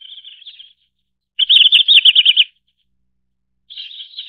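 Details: Single Red-flanked bluetail: soft thin twittering, then a loud rapid burst of about ten clipped repeated notes for one second, followed by more quiet twittering after a pause; nothing else audible.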